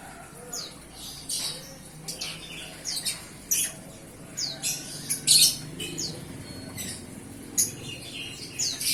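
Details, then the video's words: Scattered sharp, high tweets come from a young bar-winged prinia newly off hand-feeding and starting to sing. The notes arrive in separate bursts with gaps of about a second, with some louder squeaky notes midway. "Cigun muda lepas loloh buka suara"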